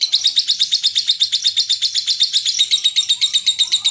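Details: Lovebird ngekek in the long 'konslet' style, used to coax other lovebirds to sing: dense, very regular chattering of high, squeaky notes, about four clear beats per second with fast ticks between.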